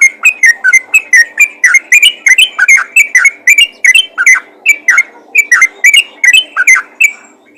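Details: Yellow-vented bulbul calling to other bulbuls in the 'ropel' style: a lively chatter of short, bright whistled notes with sharp attacks, repeated several times a second over about seven seconds.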